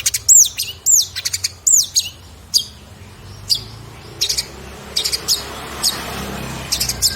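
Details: Cendet, the long-tailed shrike, sings varied mimicked fill material in a 2022 recording meant for tutoring other cage birds. It opens with a few bright down-slurred whistles, then breaks into scattered short chirps and bursts of twitter separated by pauses.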